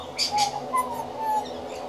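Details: A young pied butcherbird, a regular visitor, practising its song: soft, pure whistled notes around the same low pitch, spaced apart, with faint higher chirps from other birds early on.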